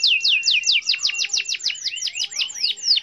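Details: Canary singing a long rolled song meant to call a rival: a fast, steady train of high, sweeping notes dropping from very high to mid pitch, about six per second, loud and continuous throughout.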